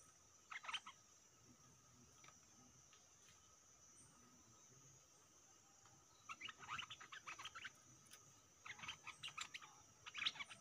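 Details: Caged stripe-throated bulbul used as a decoy, facing fierce captured wild birds, sings short bubbly bursts of quick mid-pitched notes in three clusters separated by pauses, over a steady high hiss.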